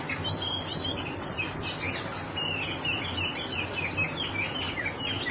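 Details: Oriental magpie-robin singing in the fast 'roll speed' style: rapid whistled phrases around the upper-middle range, varied and slurred, running continuously over a steady low hum.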